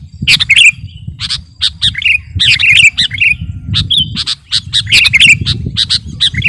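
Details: Sooty-headed bulbul singing, kept as a master song and lure for trapping birds: squeaky, bubbly chattering phrases in quick bursts, with a continuous low rumble underneath.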